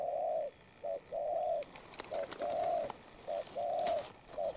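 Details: Spotted dove, currently moulting, delivers a brisk cooing phrase, alternating a long, full coo with a brief clipped one four times over, backed by light clicking and a constant faint high whine.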